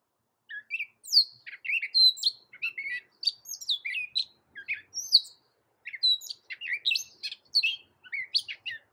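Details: Continuous Gray catbird song: an unbroken medley of varied short whistles, chirps and sharp slurred notes, one after another with hardly a pause, bright and loud throughout.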